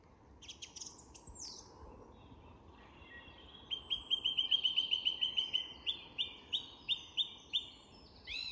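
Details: Dusk chorus in English woodland featuring a song thrush: a few high squeaky notes, then a fast rattling run of repeated clipped notes, followed by a slower series of bright phrases repeated about six times.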